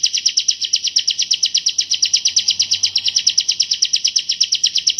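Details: Bar-winged prinia in dense, clear 'shot' song: a continuous rapid trill of high, ringing notes about six a second, steady throughout, over a faint low hum.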